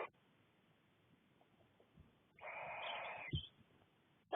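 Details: Six Cornish barn owl chicks together in a nest box, with their mother away on a wing stretch, give a harsh, breathy hiss lasting about a second, with shorter hissing bursts at the start and end over faint low thumps.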